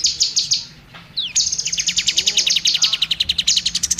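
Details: Oriental magpie-robin (kacer) song used to tutor other songbirds: high chattering notes, a brief gap with a downward-sliding whistle, then a rapid steady series of sharp repeated chips.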